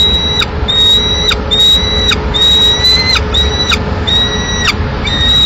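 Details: Nestling peregrine falcon in Madrid, May 2016, fed a pigeon by its mother; a series of high, sustained, slightly rising squealing calls, about one per second, with a low steady hum underneath.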